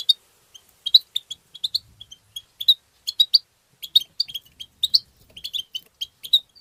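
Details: Song of a European goldfinch, played to stimulate other goldfinches: a steady stream of quick, high, tinkling chirps and twitters repeated every fraction of a second for nearly seven seconds, with a clean, quiet background.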